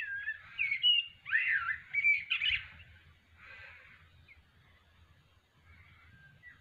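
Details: A male blackbird practising his song on an afternoon in Australia: mellow, fluting warbled phrases with swooping slurs for about three seconds, then fading to faint, softer murmured notes and quiet background.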